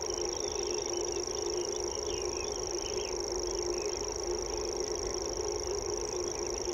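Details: Common grasshopper warbler, a secretive bird, giving its unmusical, high-pitched reeling trill: one steady, unbroken insect-like buzz held without pause for the whole stretch, with faint chirps of other birds lower down and a constant low hum.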